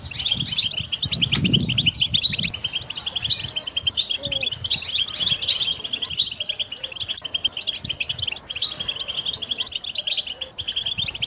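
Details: Goldfinch song for training: a sustained, busy flow of liquid twittering and rolling trills over about eleven seconds, with a brief low rumble near the start.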